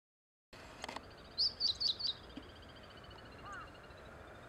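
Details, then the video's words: Meadow bunting singing beside the Teganuma promenade: a short burst of four high, sharp chirped notes, with a faint lower chirp afterwards over steady background hiss. "ホオジロの歌声.-Bunting singing-"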